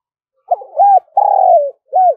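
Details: Spotted dove giving its luring call: one full coo phrase with a short opening note, an arched coo, a long sustained coo that falls at the end, and a closing arched coo, with nothing else audible.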